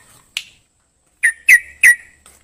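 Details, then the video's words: Brief burst from a sooty-headed bulbul: one short, sharp note, then three loud, rich, whistled notes in quick succession, each slurring downward. "KICAU TRUCUK DJAWARA"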